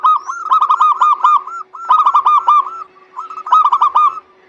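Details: Local zebra dove song used as a lure to prompt lazy doves to sing: three bursts of rapid, rhythmic cooing notes, each phrase about a second long, over a faint steady hum.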